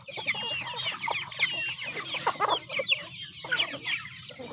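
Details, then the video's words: Domestic chickens clucking while eating: dense, overlapping soft clucks and short rising chirps from several birds, with scratchy pecking noises throughout. "The sound of chickens eating."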